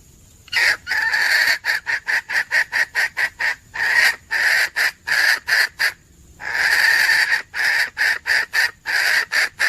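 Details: Hen red junglefowl calling, a sound used to lure birds when hunting: rapid runs of harsh, clipped cackling notes, about a dozen before a brief pause near six seconds, then another fast series.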